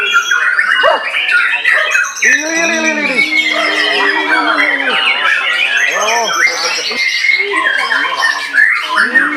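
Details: White-rumped shama in loud, varied song: harsh squawking notes mixed with strings of low arched, bubbling phrases, rapid high whistles and trills, delivered continuously and energetically throughout.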